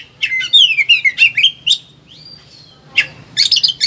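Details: Excited Oriental magpie-robin (kacer) displaying its varied song for training or stimulating silent birds: a quick series of descending whistled notes, a long clear whistle, then a pause and a burst of harsh chattering.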